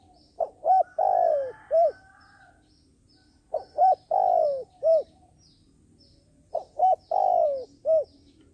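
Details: Decoy dove kept for trapping, cooing to lure other doves in. A short four-note cooing phrase of two quick hoots, a long falling coo and a final hoot, repeated about every three seconds, with faint low background noise.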